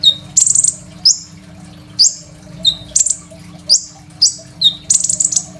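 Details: Crimson sunbird delivering vigorous master song for training raw young sunbirds, captured on a phone; high, sharp downslurred chirps and short buzzy trills repeated roughly each half second over a quiet mains-like hum.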